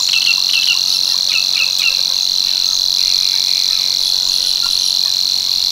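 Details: Steady, strident reeling of a Savi's warbler at Tancat de l'Illa, l'Albufera, a flat high buzz held throughout, with scattered short chirps from other birds, mostly in the first two seconds.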